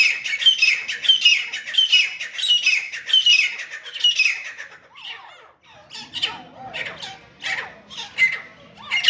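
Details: Grey francolin (teeter, grey partridge) fighting: a rapid, rhythmic run of loud, rasping calls, then a brief lull before scattered squawks and rising chattering notes return.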